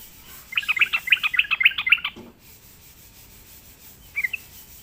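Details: Sooty-headed bulbul, lured to sing, gives a rapid, lively run of chirping, bubbling notes for about one and a half seconds, then falls silent before one short final chirp.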